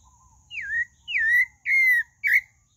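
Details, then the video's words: Four clear whistled notes from a pale-breasted thrush, each starting high and sliding downward, spaced roughly half a second apart in a quiet setting. "Sabiá do Barranco: Um Conto Encantador"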